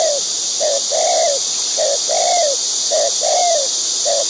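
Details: Wild white-breasted waterhen, one of a breeding pair feeding its chicks: short nasal notes repeated about once a second, some paired, over a loud steady high insect drone.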